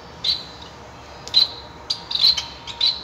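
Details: A male Society (Bengalese) finch singing: high, thin, buzzy notes near the top of hearing, in short bursts about every half second to second, over quiet background hiss.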